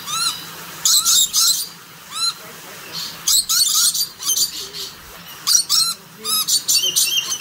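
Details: A rainbow lorikeet in a walk-in aviary at Palmitos Park, Gran Canaria, gives harsh, high, grating screeches in short bursts of two or three, mixed with thin, slurred whistles from other birds.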